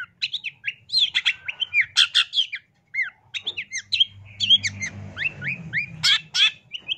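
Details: Masteran song, full isian, from a gacor long-tailed shrike (cendet): varied chattering whistles and harsh bursts, a brief pause near three seconds, then slurred upward notes and loud rasping phrases, with low hum underneath.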